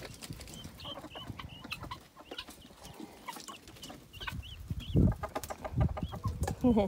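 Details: Newly hatched helmeted guineafowl keet, brought back from the nest by its mother, gives thin high peeping over low clucks and a voice, sitting in the sun.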